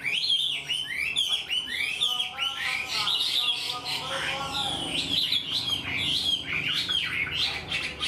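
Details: Caged wild-caught Chinese hwamei, eager to sing, pours out a full structured song like a tame bird. Continuous bright whistles rise and fall quickly, packed into dense, varied phrases without pause, with faint talking in the background.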